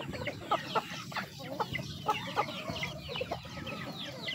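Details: Several chickens feeding, giving scattered low clucks and brief squeaky chirps over a steady rustling, pecking background.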